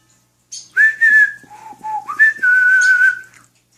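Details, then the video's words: Whistling Nights in White Satin, a pet male cockatiel sings to a fish and other birds: pure sustained whistled notes, a high held tone, a lower dip, then a long steady high note, melodic and tune-like, in a small room. "Sunny sings to birds and a fish"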